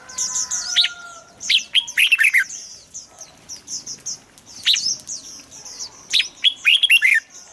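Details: Red-whiskered bulbul song used to stir birds into singing: lively bursts of liquid rising and falling whistles, repeated several times, over constant high chatter from many birds.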